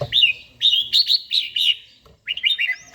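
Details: Daily-trained red-whiskered bulbul singing in the morning: clear, ringing whistled phrases in quick groups, a short pause, then a twittering run ending on a rising slur.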